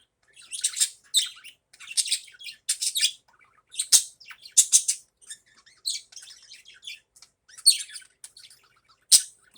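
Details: Budgerigars chattering in the morning: bursts of high, scratchy chirps and warbles come about once a second, mixed with quieter twittering between them.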